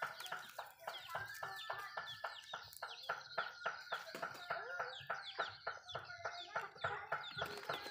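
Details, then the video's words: Eating Malay chickens at a backyard home: fast, fairly regular pecking knocks with short clucking notes and many high, falling chirps layered over them. "Chicken malayo asmr nice but nonuse sound eating food"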